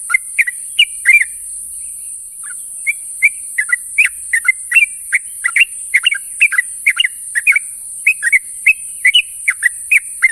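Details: Calls of yellow-vented bulbul gathering companions in the morning: busy chattering chirps and slurred whistles repeated rapidly, a brief quieter gap near two seconds, against an unbroken high-pitched hiss.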